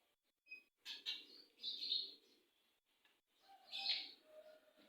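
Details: Canary, said to be singing with a long roll, here gives short scattered bursts of high chirping and buzzy notes separated by pauses, with some softer low noise beneath.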